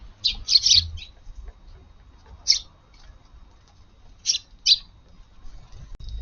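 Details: Sparrows feeding in a garden early on July 16 after morning rain: a quick cluster of harsh chirps, then single and paired chirps spaced a couple of seconds apart.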